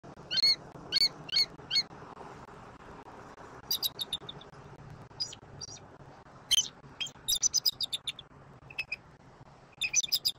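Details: Bald eagle at its nest in Southwest Florida, filmed by a nest camera at 06:57 on 23 October 2024: bursts of high, thin, chattering chirps in quick series, separated by quiet pauses over a low background hum.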